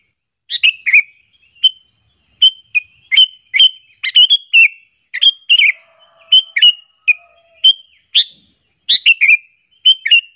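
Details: Lively sooty-headed bulbul call meant to draw in and agitate rival bulbuls: rapid run of short clear chirps and slurred whistles in loose groups, nearly continuous, with a faint low hum in the middle.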